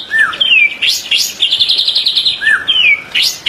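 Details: Clear, loud white-rumped shama song for training caged birds, 2024. Sweet down-slurred whistles alternate with sharp upward chips and a rapid buzzy trill, the pattern repeating within a few seconds.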